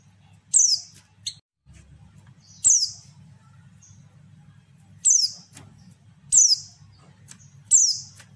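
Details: Female white-eye call for drawing out lazy males: sharp high notes falling in pitch, repeated irregularly about every one to two seconds, with a short extra chip early on and a constant low hum.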